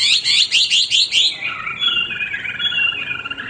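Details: Hwamei in full song: a fast series of bright, rising-falling whistled notes, then a lower, smoother sustained warble that drifts downward.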